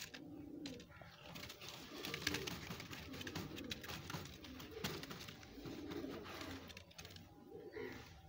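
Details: Many pigeons kept together in a pigeon house, low cooing notes rising and falling throughout, overlapping from several birds, with rustling, wing flutters and indoor room echo.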